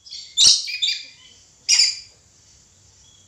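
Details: Red lory giving loud raspy screeches, a double burst followed by another shrill call just over a second later, then quiet.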